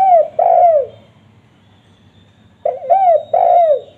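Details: Spotted dove call recorded for luring wild doves: deep, mellow cooing notes that slide downward, one pair at the start, then a pause of nearly two seconds before a run of three coos.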